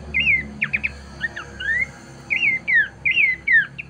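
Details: Horsfield's babbler, recorded as a master song to train birds: sparse looping whistles that rise then fall, with a few short sharp notes between, over a constant low hum.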